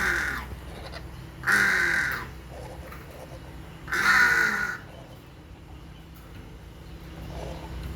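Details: Hornbill giving loud, harsh, nasal honking calls, a few spaced notes each lasting about half a second, over a low background hum.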